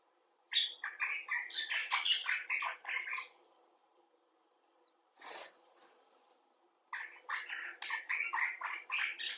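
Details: Common bulbul, some birds rescued and cared for in a clinic, others filmed outside, giving expressive chattering calls: two bursts of rapid harsh and squeaky notes separated by a pause, with one short noisy sound between.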